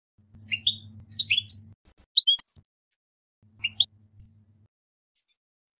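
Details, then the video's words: Tunisian European goldfinch singing: scattered sharp twittering chirps and quick upslurred notes in short bursts, with silences between groups and a faint low hum early on. "تغريد طائر الحسون التونسي"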